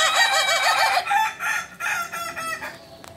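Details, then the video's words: Kukuak Balenggek rooster, a native chicken from Solok in West Sumatra, crowing a long rich crow with a wavering, stepped opening phrase that trails off into a drawn-out tail. "Ayam kukuak balenggek Asli solok"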